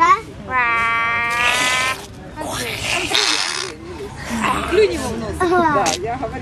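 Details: Pet grey parrot copying voices and sounds: a harmonic, nasal, speech-like tone, then a brighter buzzy burst and a run of chattering, wavering voice-like notes, with people talking nearby.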